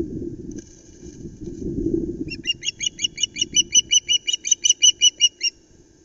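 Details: Osprey at its nest at Loch Arkaig, startled as a flounder flaps about; after rustling and wing movement, a loud series of about seventeen sharp, whistled chirps repeats roughly three times a second, steady and insistent.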